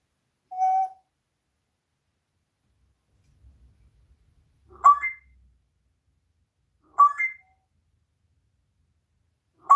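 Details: Pet parrot indoors, a swearing bird that talks with its owner during a live stream. Short clear whistled notes, then three sharp rising squawks spaced about two seconds apart, with a faint low thump between them.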